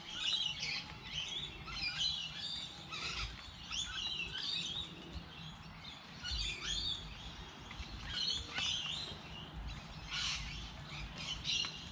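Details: Many birds chirping in light rain, dense high twittering phrases rising and falling in loudness, separated by short quieter gaps, with low steady noise underneath.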